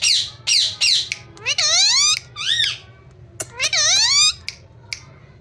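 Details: Talking ringneck parrot, said to repeat "mithu beta" and "mithu": scratchy clipped notes followed by drawn-out, rising-and-falling voice-like phrases with many bands, separated by short silences, indoors.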